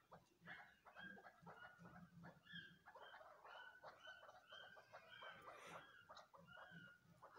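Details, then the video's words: Several crossbred chukar chicks calling together: a steady stream of short, bright chirps, some flat and some gently rising, overlapping almost continuously against a low background hum. "کراس چکور کے بچے"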